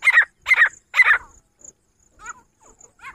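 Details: Female grey francolin (Francolinus pondicerianus) gives three loud, harsh, grating notes about half a second apart, followed by softer, thin chirping notes.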